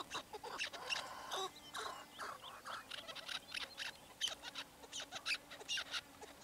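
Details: Chukar partridges give scattered, scratchy clucks and chuckles in uneven groups, accompanied by a soft background hum.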